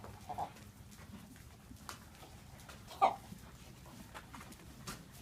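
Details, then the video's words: Healthy-looking three-year-old free-range buff Brahma hen with an unusual croupy, bark-like cough: a soft burst near the start, then one sharp loud cough, over low background farm noise. "Buff Brahma chicken making strange sounds"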